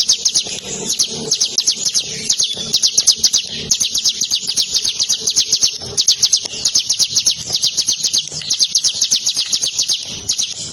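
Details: Bar-winged prinia kept tame and handled with fingers, pouring out an unbroken series of quick, high, metallic ticking notes with slight pulsing in loudness, and faint low rustling behind.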